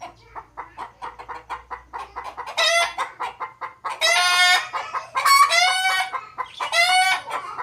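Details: Desi rooster with other fowl: continuous quick clucking throughout, overlapped by four bright harmonic crows in the second half, some long and sustained, others shorter and clipped.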